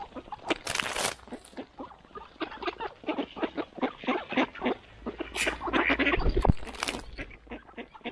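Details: A loud morning feeding scene of mallard ducks: fast, overlapping quacks and chatter mixed with splashy broadband rushes early and late, and a low thump near the end.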